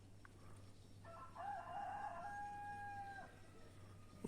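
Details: A rooster crowing in the morning, loud enough to wake a sleeper in a room, gives one long crow of about two seconds, a hoarse harmonic note that holds steady then trails off, over a low steady hum.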